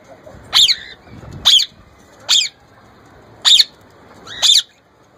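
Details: Young male plum-headed parakeet kept as a pet, trying to talk and copy a ringneck parrot's voice: five sharp, high, squawky calls, each dropping in pitch, spaced about one second apart, with a faint background hum.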